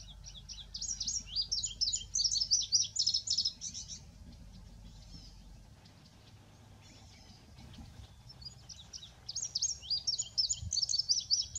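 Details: Male indigo bunting singing two bright, high phrases of quick paired notes, one opening the recording and a second near its end after a pause. A faint low rumble runs underneath.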